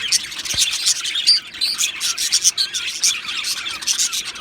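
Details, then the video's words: Male Australian budgies, two of them, chirping in a brisk sequence of high squeaks, short whistles and gritty chatter that swells and fades every second or so. "2 Male Budgies Birds Sounds | Australian Budgies Birds chirping sounds"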